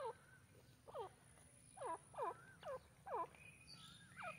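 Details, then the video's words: Black francolin, known locally as dakhni or irani teetar, giving a quiet series of harsh, grating notes repeated roughly every half second, with a steady thin whine in the background. "Dakni teetar irani teetar ki awaz"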